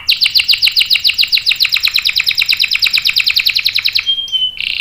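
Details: Energetic canary with a long roll, for luring and tutoring young males: a long fast series of sharp downslurred notes, about eight a second, ending in clear level whistles.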